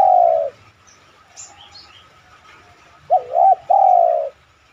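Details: Spotted dove coo used as a lure to prompt other doves to coo. The tail of one long coo is followed by quiet faint chirps, then a full phrase: a wavering double note and a drawn-out falling coo.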